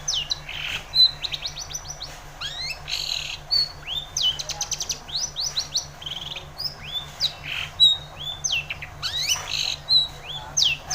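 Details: Long-tailed shrike song meant to coax a reluctant shrike into singing; quick buzzy trills, sweeping whistled slurs and sharp chips follow one another in a varied, mimicking stream over faint low hum.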